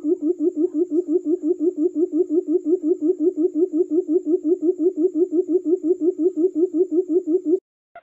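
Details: Quail lure sound for trapping forest quail: a steady train of deep, hooting pulses, nearly three each second and very even. It runs for about seven and a half seconds and stops abruptly before a brief click.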